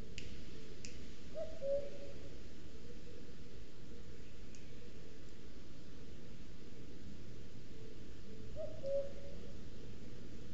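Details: Common cuckoo male, a summer visitor, singing all day from the forest around a booted eagle nest in Sierra de Guadarrama National Park; two clear descending two-note cu-coo calls about seven seconds apart against constant low background hiss.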